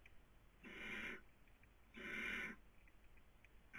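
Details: Barn owl (Tyto alba) at a webcam in Cabañeros National Park, Castilla-La Mancha, Spain, during the 2020 breeding season, giving two harsh, hissing screeches, each about half a second long and roughly a second apart, over faint background hum.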